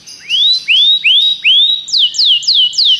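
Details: Common canary singing a clear series of whistled notes: four rising upsweeps, then four falling slurs, each about a third of a second apart.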